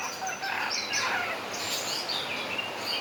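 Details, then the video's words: Javan myna (jalak kebo) imitating a crowing rooster: a harsh, raspy, crow-like phrase with noisy, broad overtones runs almost unbroken through three seconds, with no other clear sounds. "BURUNG JALAK KEBO ISIAN AYAM JAGO BERKOKOK"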